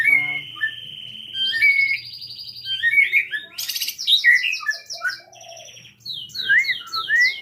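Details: White-rumped shama of the Jabo type singing at Cipinang Muara: a rich, varied run of clear whistles, long steady notes, fast chattering phrases and sharp rising slurs, with loud bursts separated by brief pauses.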